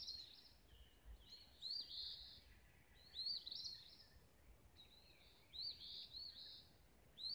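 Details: Dawn chorus in Olivehill, Tennessee: repeated high chirping phrases roughly every second or two, bright and slurred, several overlapping bursts above a faint low rumble.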